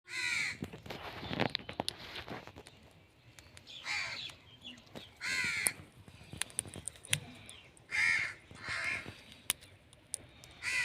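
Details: Indian ringneck parrot giving harsh, raspy screeches in short bursts roughly every second or two, each rich and broad-toned with a gritty edge, separated by quieter gaps with faint clicks and background rustle.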